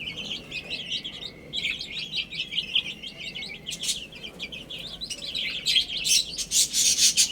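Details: Group of chicks peeping as they eat and drink; quick shrill chirps flow in a steady chatter, pausing briefly, then resuming, with louder scratchy pecking and rustling sounds toward the end.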